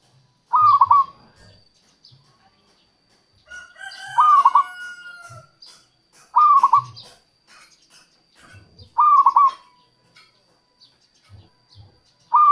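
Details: Local zebra dove song used as a lure for wild doves: short soft cooing phrases with a stuttering, rolling middle, repeated about every two to three seconds, with a fainter drawn-out call between phrases and faint low thumps.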